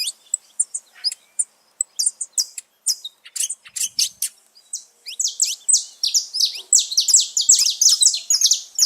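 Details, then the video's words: Saffron finches free in nature: sparse, separate high chirps at first, then the chorus swells into a dense, rapid run of overlapping bright notes from several birds. "festa dos canário da terra livre na natureza"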